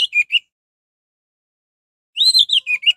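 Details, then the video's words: Orange-headed thrush singing as a lure to excite other thrushes: a brief trio of slurred whistles, a silence of nearly two seconds, then a rapid rolling string of warbled, wavering whistled notes. "Anis merah gacor || suara anis merah untuk pancingan"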